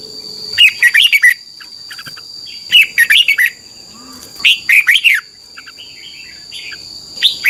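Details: Red-whiskered bulbul from Thailand, its song played daily so young birds learn it: several rapid phrases of clipped, liquid whistled notes, repeated every couple of seconds, with softer chirps between and a persistent thin high tone.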